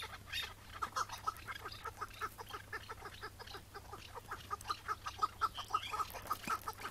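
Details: Morning chukar partridge during a May 2017 capture, released on the spot afterwards. Sharp clucking notes recur roughly twice each second, irregular in spacing, louder in the second half.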